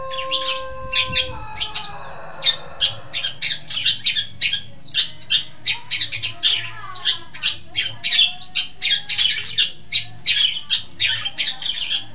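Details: Long-tailed shrike from East Java, a lively singer, giving a long, fast stream of harsh, scratchy high notes, preceded by a brief steady tone and a rough rising squeal.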